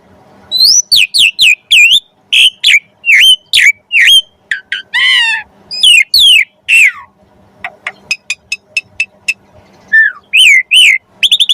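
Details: Javan pied starling song used as training material for songbirds: loud, varied whistled notes, sharply falling and rising, delivered in quick bursts with brief pauses, plus a buzzy rasping phrase near the middle.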